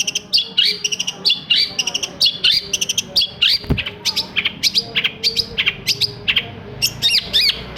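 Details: Long-tailed shrike song played to stimulate silent shrikes to sing. Quick, high, chirping and squeaky notes come in close-packed bursts, roughly one per second, with a brief low thud partway through.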